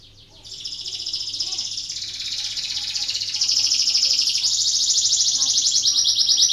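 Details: Canary singing a lure song meant to spur lazy canaries into song: a long, dense, buzzy rolling trill held high, growing steadily louder over several seconds.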